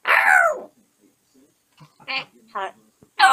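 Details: Caged male African grey parrot settling down at bedtime. A loud, harmonic, speech-like squawk opens, followed by quiet mutters and short voiced syllables, then another loud rich call at the end.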